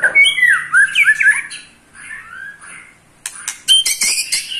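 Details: Eight-month-old white-rumped shama provoking rival shamas: slurred falling whistles and squawky phrases, a quieter pause, then abrupt sharp clicks and a burst of harsh high rattling notes.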